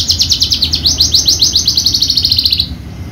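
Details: Horsfield's bushlark of the javanica type, a contest bird, singing a fast series of repeated buzzy trilled notes about ten per second for over two seconds, then stopping; low hum underneath.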